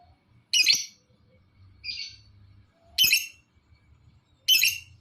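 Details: Lovebird used as a lure to set other lovebirds calling, giving harsh, high chirps about every one and a half seconds with a softer, shorter note between them.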